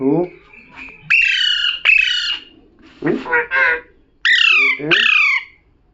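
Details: Parrot talking: loud harsh squawks sliding downward, then a short run of voice-like syllables with formant bands near the middle, followed by two more strident descending squawks; a quiet room, no other clear sounds.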